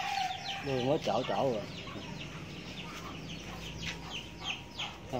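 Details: Huýt cô bird at a trap in rural Đồng Nai, southern Vietnam, at the season's first rain, where a wild male came to challenge the female decoy, gives three quick, harsh, cackling, rattling bursts; a man talks softly, faint hiss.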